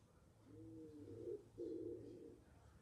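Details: Wood pigeons nesting in a balcony box: two soft, low, hollow cooing notes, the second slightly louder and steadier, set against a faint constant background hum.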